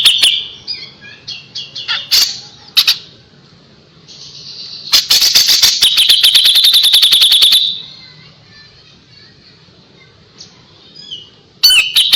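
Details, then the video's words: Kapas tembak in full song, recorded as tutor material for white-rumped shama: varied high whistles and slurs, then a dense, rapid-fire run of sharp piercing notes, a quiet gap, and another burst at the end. "KAPAS TEMBAK GACOR JEDA RAPET"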